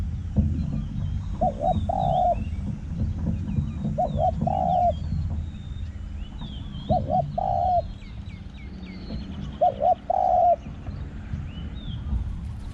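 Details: Spotted dove decoy calling in forest with a small-voiced 'hong' coo. Four phrases of two brief notes plus a longer coo come roughly every three seconds over rustling, low rumbling noise and distant chirps.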